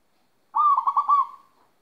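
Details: Zebra dove of local stock, kept in Magelang, Central Java, cooing during its moult: one mellow, rolling phrase of four to five beats, with the last note drawn out and fading, against a quiet background.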